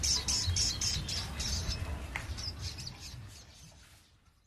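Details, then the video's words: Lure recording of a crested jay: quick repeated high chattering notes that slow and grow fainter, ending in near silence, over a low rumbling background. "SOGON GACOR PIKAT BURUNG"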